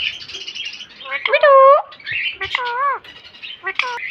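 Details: Talking pet green parrot producing a quick sequence of speech-like sounds: buzzy chatter, then several rich harmonic phrases with bowed, wavering pitch, some rising, others falling, spaced about a second apart.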